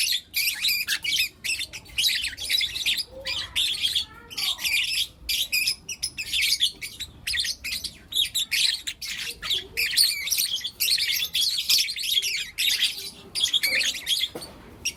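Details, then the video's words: Fifteen seconds of steady morning chatter from four young lutino lovebirds in captivity: fast, buzzy, high-pitched chirps repeated in quick pulses with barely any rest, a faint low squeak now and then. "Lutino LoveBird Chirping Sounds"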